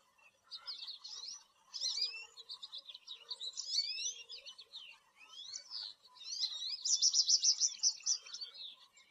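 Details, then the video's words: An American goldfinch sings a long, rambling run of high, sweet twitters, slurred notes and rapid trills, pausing briefly between bursts. "American Goldfinch"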